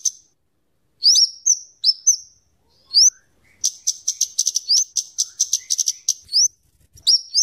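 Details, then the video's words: Scarlet-headed flowerpecker (kemade) singing energetically, used for luring birds and tutoring songbirds: thin, very high upslurred chips, some paired, then a fast burst of sharp ticking notes and more rising chips, over a clean, quiet background. "suara burung kemade atau cabe cabean gacor cocok untuk pikat dan Masteran"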